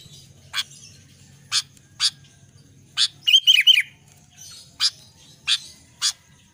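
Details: Albino sooty-headed bulbul singing a brief phrase of three quick, slurred whistled notes, each dropping in pitch, set among sharp broadband clicks and taps that recur roughly every half second to second, over a faint low hum.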